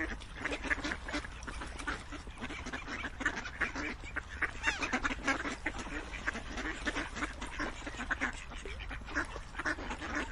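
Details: Steady chatter of many ducks, raspy quacks overlapping without break for about ten seconds, volume rising and falling slightly as different birds call.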